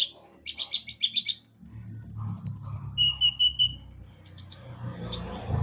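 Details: Javan white-eye singing energetically, used as a lure to make birds sing: bursts of quick high chirps, then a thin steady whistled trill and a lower repeated whistle, with a low hum underneath.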